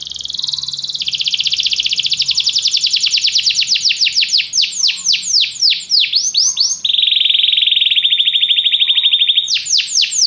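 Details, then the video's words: Canary training song to inspire singing: a fast high trill of sweeping notes, slowing into separate descending sweeps, then a low buzzy rolling tour, finishing with renewed falling sweeps. "Este canto canário inspira o apetite do seu canário para cantar imediatamente"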